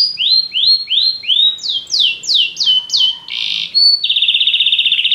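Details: Canary song of rising whistles, then falling slurred notes, a short buzzy tone, a brief high whistle and a fast rattling trill at the end.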